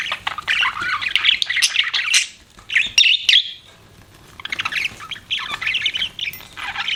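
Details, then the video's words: Pet budgerigars chirp in clustered bursts of bright warbling and squeaks, with a quieter gap mid-way before the busy chatter starts again. "BUDGIES CHIRPING SOUND"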